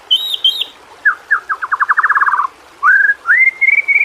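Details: Shama tutor song used to get reluctant murai batu singing: two high whistled notes, then a fast accelerating trill of repeated notes, then long clear rising whistles.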